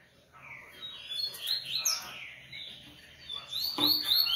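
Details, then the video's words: Coleiro singing a lively run of clear, high whistled notes and quick twittering phrases. Rising and falling slurs come in bursts, growing louder toward the end, with a sharp click near the close and a quiet background. "Coleiro Artilharia e REVELAÇÃO"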